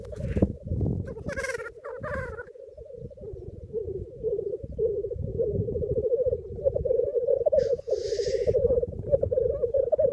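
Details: Black grouse lek in the Cairngorms on 28 April 2014, with 9 males and 6 greyhens visiting, heard from a hide. Males keep up a continuous low, dove-like bubbling roo-koo chorus, broken by a few sharp, explosive hissing sneezes.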